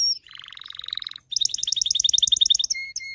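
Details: Excited canary singing, used to train male canaries to sing and to ready females for mating: a buzzy trill for about a second, then a faster, higher rolling pulsed trill, ending in short whistled notes.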